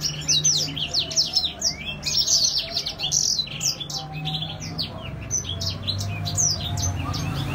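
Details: Grey singing finch singing actively, gacor style: bursts of sharp high chirps and rapid trills, loud at first and then continuing a little softer, with a low hum behind.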